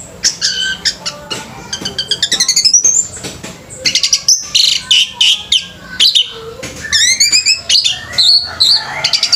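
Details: Orange-headed thrush singing at a bird singing competition, pouring out a long, varied stream of fast high chirps, trills and whistled downslurs in dense bursts, with only brief pauses between phrases.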